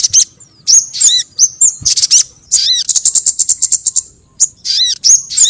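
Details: Crimson sunbird lure call used to attract sogon birds: sharp, very high chips and thin, down-slurred whistles in short bursts, with a quick run of evenly spaced ticks midway.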